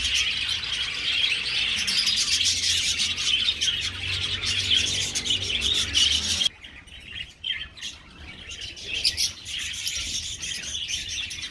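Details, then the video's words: Colony of budgerigars in an aviary, a dense, continuous chorus of warbling, chirping chatter for six seconds, then a sudden drop to quieter, scattered chirps and twitters. "Australlion Budgies"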